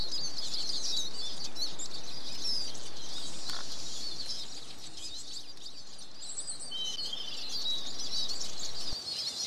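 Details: Eurasian siskin singing a fast, chattering high warble that softens midway, then resumes with a long falling wheeze and brief buzzy trills.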